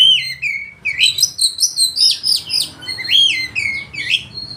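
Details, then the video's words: Loud, continuous oriental magpie-robin song with a rich repertoire of fluid whistled phrases that slide up and down between mid and high pitch. "Kacer ngeplay full materi mewah suara keras bikin lawan ikut gacor dan buka ekor"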